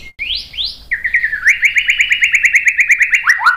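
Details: White-rumped shama song used to provoke other birds into singing: two rising whistled swoops, then a rapid run of short buzzy notes repeated about three per second, ending in a falling whistle.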